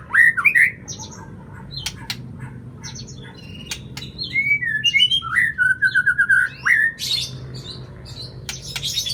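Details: Lure song of a murai batu (white-rumped shama) for getting a silent bird to sing. Loud, varied whistles, chips and a rapid trill-like run of repeated notes, broken by short pauses and clicking sounds.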